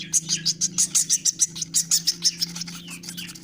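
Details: Hand-reared woodpecker chick taking feed calls with a fast regular string of sharp, hissy high notes, roughly three each second, above a soft continuous low hum.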